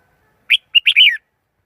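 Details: A compact, liquid phrase from a red-whiskered bulbul: one note, a short pause, then a tumbling run of warbled notes sliding downward at the end.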